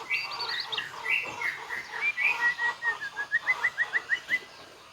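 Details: White-rumped shama singing its full repertoire with mimicked phrases: a high wavering trill at first, then a series of short whistled notes repeated about every third of a second, growing louder.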